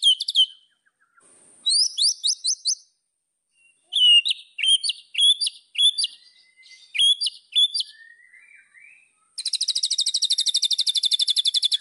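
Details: White-rumped shama song used as a training recording to provoke rivals: varied bright whistled and chirping phrases in quick bursts, with pauses, ending in a fast, even, high buzzy rattle lasting about two seconds.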